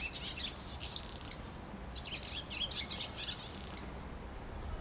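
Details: Barn swallow visiting a home garden, giving two bursts of rapid, high, scratchy twittering chatter over a steady low background rumble.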